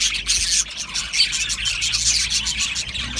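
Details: Budgie parrots chirping in an Australian budgie colony kept in an aviary. The chattering is busy and scratchy, made of high chirps that swell and dip in quick pulses.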